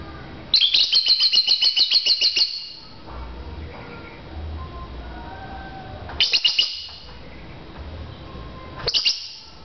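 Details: Lovebirds in a bird-to-bird chirping contest: a rapid run of sharp, high chirps repeated for about two seconds, then two shorter bursts of chirps after quiet pauses.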